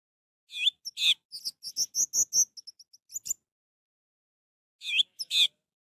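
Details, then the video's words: Orange-headed thrush singing, played to stir a bird that will not sing: a fast run of bright, high twittering notes, silence, then a brief three-note phrase with a downslurred whistle. "Untuk memancing Anis merah yang malas bunyi"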